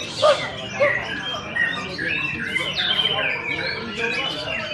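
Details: A tailless white-rumped shama singing in competition in Sibolga opens with two loud, low whistles, then runs into a long chain of bright, rising and falling whistled notes and chatters, with other birds behind.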